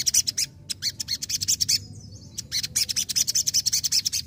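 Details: Sogon in vigorous song: bursts of sharp, high chattering notes repeated in quick succession, a brief pause near two seconds, then the rapid chirping resumes over faint low hum.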